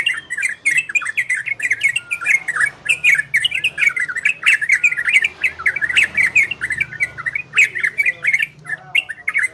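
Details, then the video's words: Ropel and garudo style singing of an orange-spotted bulbul, meant to bring listening birds into breeding condition: continuous chattering stream of sharp, squawky chirps and short warbled phrases in quick bursts, with a faint low hum underneath. "Suara Trocokan Ropel dan Garudo"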